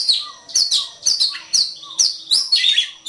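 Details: Oriental magpie-robin song used for training other birds: rapid run of sharp, high whistled and rasping phrases, about two per second, over a faint steady lower whistle.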